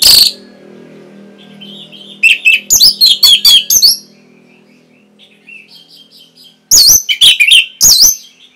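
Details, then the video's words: A masteran training recording for caged birds, with orange-headed thrush song. Quiet, thin warbling leads into a loud run of about six fast, piercing notes. Soft, chattering phrases follow, then another loud, clipped burst of sharp notes. "ANIS MERAH PASTI MENGIKUTI KICAUAN MASTERAN INI"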